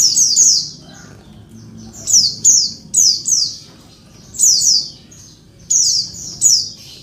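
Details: Female Oriental white-eye (Zosterops palpebrosus) calling to provoke males into singing: thin, high chirps in quick paired downslurred notes, bursts repeating about every second, over a faint low hum.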